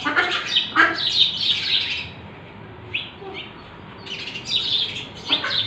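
House sparrow chirping in busy bursts of harsh, overlapping cheep notes, falling quiet midway, then resuming.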